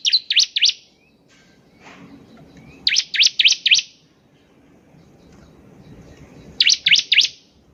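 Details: Bar-winged prinia in energetic song, played to prompt other birds to sing: three quick bursts of four or five high, piercing chirps, separated by pauses of about two seconds, over a faint background hiss.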